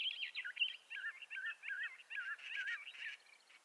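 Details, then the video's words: Bendire's thrasher giving a flowing sequence of looping, warbled notes, phrases closely spaced and evenly paced, tapering softly at the end. "Bendire's Thrasher Bird Song"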